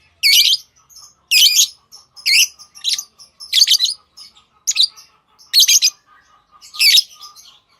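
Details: Hand-tamed lovebirds call with loud, shrill, buzzy chirps repeated roughly once a second, each a short cluster of squeaky notes, over a faint steady hum.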